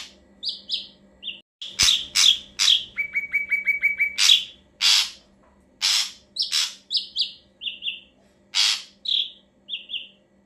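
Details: Varied ashy drongo song for luring birds: a busy mix of harsh rasps, slurred whistles and a quick series of even repeated notes, with a sharp click near the start.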